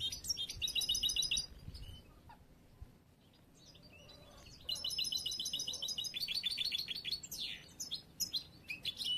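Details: Immature song of a young bruno amarillo mutation European goldfinch from late this year, still in training to become a contest bird: fast repeated high trills in two bursts separated by a few seconds of near silence.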